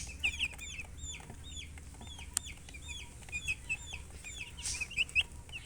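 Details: Young chicks peeping: repeated thin, high chirps that drop in pitch, from more than one bird and spaced irregularly, with occasional clicks and a low background rumble.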